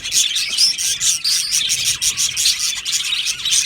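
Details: Budgerigar colony in an aviary of Australian budgies, dense high chirping in quick irregular bursts, about two a second, with sharp squeaky notes over a steady chattering background.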